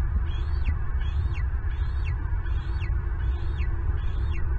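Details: Wild bald eagle at a Southwest Florida nest, picked up by a live nest camera while an intruder steals a turtle breakfast. A thin, high whistled note with a sharp downward drop repeats about every 0.8 seconds over steady low wind rumble.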